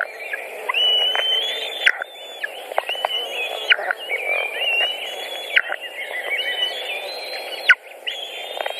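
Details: White-tailed eagle nest in Latvia, 14 June 2019, pike and rabbit feeding: repeated long, level, whining whistles with abrupt downward endings, overlapping with shorter squeaks and clicks, over a persistent low hum.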